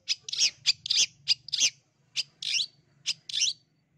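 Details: Long-tailed shrike from East Java singing loudly, a track meant to make other birds start singing: harsh broadband chattering notes in short bursts, with a faint low hum beneath.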